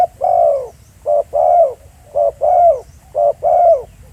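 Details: Spotted dove recorded live in the field at Pha Sing, giving repeated low cooing phrases, each a short coo followed by a longer drawn-out coo, about every second, over steady quiet background hiss.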